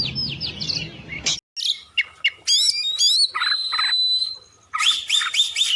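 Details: Oriental magpie-robin (kacer) song used as a training recording for other songbirds: varied whistled phrases, sharp rising sweeps, a sustained high whistle and buzzy bursts, with a brief silent gap near the start.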